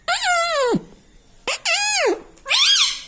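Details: Talking pet parrot indoors, mimicking words like "mitthu" and "mummy": three loud, strongly harmonic syllables, the first falling away and the second dipping then rising, separated by short pauses in a quiet room.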